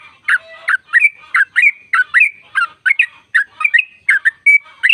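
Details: Sooty-headed bulbul long trill for stimulating caged birds to sing: quick bright chirps with short flat whistles, about three notes per second, unbroken across the stretch.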